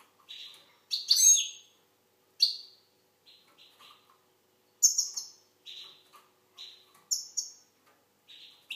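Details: Algerian goldfinch delivering a lively series of high twitters and chirps, an early loud warbling trill, then repeated short buzzy notes spaced roughly half a second apart; no other noise.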